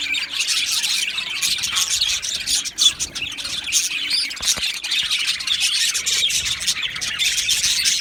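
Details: Aviary flock of budgerigars, recorded 12 July 2025, keeps up steady high-pitched chirping and warbled chatter, with a brief dip in volume near the three-second mark before the din resumes.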